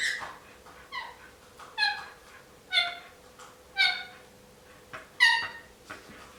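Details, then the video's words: Indian ringneck parakeet, a male pet, babbling before a nap: a run of short, bright, harmonic squeaky notes roughly every second, some rising, some falling, over a constant low electrical hum. "Indian Ringneck Parakeet Makes Silly Noises Before Nap Time"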